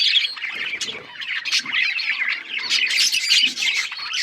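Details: Budgerigars, also called parakeets, chirping: dense overlapping warbles, squawks and chatter from several birds at once, busy and continuous with no pauses.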